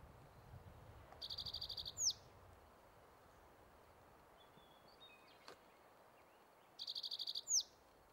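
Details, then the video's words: Male spotted towhee singing on territory at Metcalf Wildlife Management Area, Nebraska, on May 23, 2023: two songs about five seconds apart, each a rapid buzzy trill of about ten notes ending in a sharp downslurred note, over quiet background. "Male spotted towhee singing on territory at Metcalf WMA"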